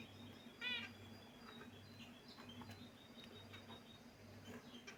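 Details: Caged pet finches: one loud, bright chirp stands out early, followed by scattered faint high chirps over a steady low pulsing hum.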